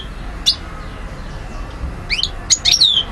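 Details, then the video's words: Algerian European goldfinch, 2012, mostly quiet then a short burst of rising chirps and a sliding, falling whistle near the end. "Vidéo Carduelis* chardonneret* jilguero* حسون alger ( Algeria) DZ 2012"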